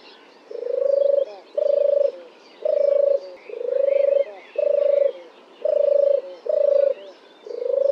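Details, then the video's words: A European turtle dove, a summer visitor in Oxfordshire, Britain, sings from a dead oak branch: soft, deep, purring rolled 'turrr' notes nearly one per second, each steady in pitch, with faint calls of other birds behind. "Turtle Dove Sings"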